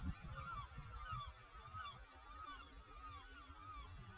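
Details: Great Black-backed Gull calling near Jülich, Germany: distant repeated clipped, falling notes in a steady run of about six, masked by heavy low-frequency wind noise.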